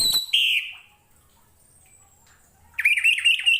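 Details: Orange-headed thrush song for tutoring other kept songbirds: a long downslurred whistle, a quiet gap, then a rapid series of rising and falling warbled notes.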